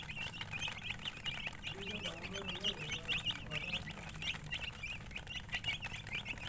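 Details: Baby chicks chirping in rapid, high, short peeping notes, repeated many times a second over low background hum and a few lower clucks.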